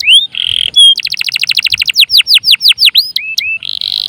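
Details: Canary 'gacor' song played as a lure for other songbirds: a rising whistle and buzzy note, a fast chip trill, slower descending whistles, then a sustained high buzz.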